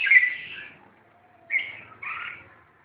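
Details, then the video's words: A red-whiskered bulbul during fighting gives a loud harsh call, falls silent for about a second, then two quick rasping, slightly bubbling notes follow. "chào mao đánh nhau"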